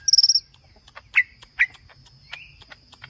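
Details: Green leafbird singing aggressively, Lombok: a very rapid high trill opens, followed by two sharp chirps and a short rising slurred whistle amid faint ticking notes.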